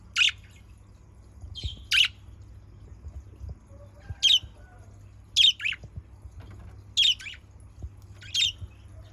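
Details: Budgerigar lure calls: brief shrill chirps spaced one to two seconds apart, with a faint low hum and light clicks in the background.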